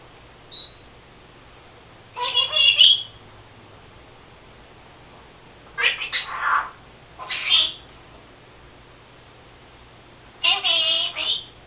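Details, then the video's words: Pet female Senegal parrot, recently copying her owner's sneezing, makes four separate bursts of harsh, speech-like chatter, some nasal and tonal, others noisy like a sneeze, spaced by quiet gaps, indoors over a low hum. "Senegal parrot Lucy talking...and making sneezing sounds.."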